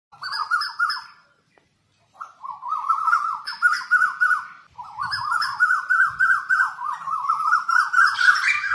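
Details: Asian koels in a village with many koels give fast runs of rising, whistled notes, several per second, that climb in pitch and overlap as more than one bird calls.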